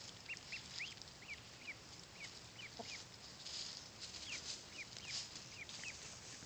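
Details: One-week-old Blue Swedish and Buff ducklings outdoors for the first time on a warm 81-degree day: thin high peeps, many short rising-falling notes scattered through steady background hiss.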